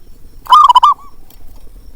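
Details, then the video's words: Local zebra dove giving a calling sound meant to stir a quiet bird into singing: one loud, rapid, bubbling coo phrase of several quick pulses lasting about half a second, then a short trailing note. "panggilan untuk perkutut malas bunyi"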